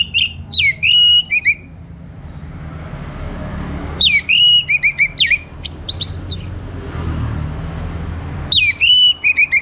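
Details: Orange-headed thrush in morning song, used as a lure to get birds singing: rapid bursts of loud whistled notes, some looping and some rising sharply to very high pitch, repeated in three clusters over faint low background rumble.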